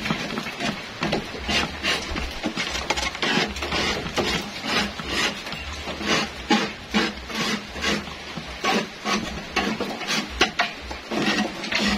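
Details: Repeated scraping and rubbing, like grain being stirred or a wooden surface scrubbed, over a low steady hum, with no animal calls.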